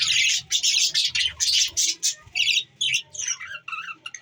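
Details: Pet budgerigars, December 14, 2023: dense, rapid squawks and chirps at a high pitch, uneven and jumbled, about two calls a second, with brief quiet gaps and a low background hum.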